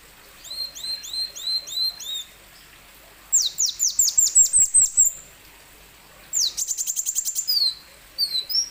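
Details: Song of a plain sunbird, played to stimulate lazy plain sunbirds to sing: series of high curving chirps, a rapid run of falling high notes, then a fast buzzy trill and a few thin whistles.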